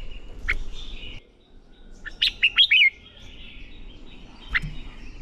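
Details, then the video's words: Red-whiskered bulbul song used for training bulbuls to sing competitively: a single isolated chirp, then one crisp phrase of four quick whistled notes ending in a slur, then another lone chirp. "Chào Mào Hót | QUÁ CHẤT. Luyện chào mào CHÉ/ KÍCH CHÀO MÀO NHANH CHÉ. Chào Mào Ché Kích Bổi Sung Lửa"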